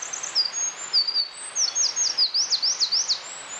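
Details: Eurasian wren, a wild bird, delivering high, thin whistled notes that lead into a quick series of sharp zigzag trill notes at roughly ten per second, with a constant hiss behind.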